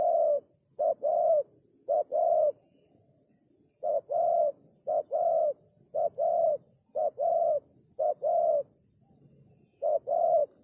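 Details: Spotted dove used as a lure, repeating paired coos, a brief note followed by a longer mellow coo, each pair spaced about a second apart with short pauses, against quiet low background noise.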